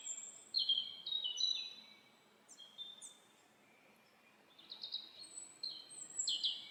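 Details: Forest birdsong of high clear whistled notes in stepped phrases, a pause, then more rapid twittering and whistles, with soft background noise.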